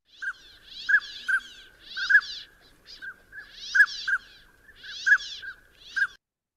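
Northern Pintail drake giving soft, tonal toots mixed with quick, dry zipper-like rasps, repeated about every second in a quiet setting.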